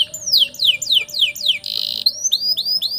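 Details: Canary song meant as a master for training young canaries: sharply descending whistled slurs repeated about twice a second, a short buzzy trill, then rising clear notes in quick succession.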